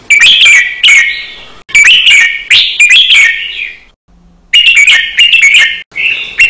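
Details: Caged red-whiskered bulbul delivering a doubled, fast counted-phrase training song: loud chirruping whistled phrases in quick succession, interrupted by one longer silent gap.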